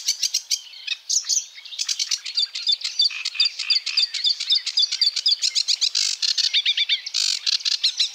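A sedge warbler sings a fast, scratchy jumble of churrs, clicks and sweet trills. The phrases rush on without a break, and some notes are repeated in quick runs.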